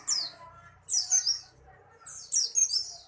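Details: White-eye giving three short bursts of rapid, very high twittering chirps, each a jumbled cluster of sliding notes separated by brief pauses.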